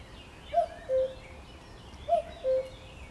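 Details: Common cuckoo recorded on 1 June 2020, giving its two-note cu-coo: a higher first note dropping to a longer, lower second note, heard twice about one and a half seconds apart over quiet background.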